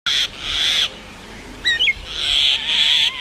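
Common myna giving harsh, hissing screeches with a burst of quick, twisting whistled notes in the middle; a faint low rising tone runs underneath near the end.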